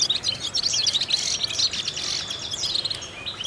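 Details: European goldfinch song for vocal exercise: a rapid, high, tinkling warble of slurred chirps and trills, strongest in the middle, then tapering off softly at the end.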